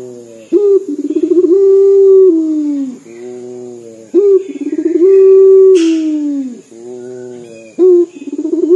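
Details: Repeated sobbing coos from a frequently calling local puter dove. Each starts with a short clipped note and a trill of pulses, then stretches into a long sustained tone that slides downward. A brief rustling burst is heard in the middle.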